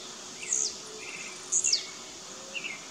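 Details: Blue-black grassquits in a rival dispute in the bush: piercing high notes that drop quickly in pitch, one rapid doubled burst midway, plus softer mid-pitched chirps, over steady insect hiss.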